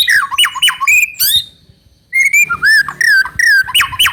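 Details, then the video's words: Trotol-style White-rumped shama song used as a lure to get another bird singing fast: strong, squawky slurred whistles and sharp chip notes in quick bursts, broken by a short silence. "PANCINGAN MURAI BATU TROTOL AGAR CEPAT BUNYI GACOR"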